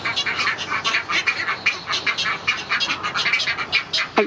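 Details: Feeding time for great egret chicks at Gatorland, April 15, 2021: dense, rapid chattering of scratchy, raspy notes, continuous and pulsing, as the parent feeds them.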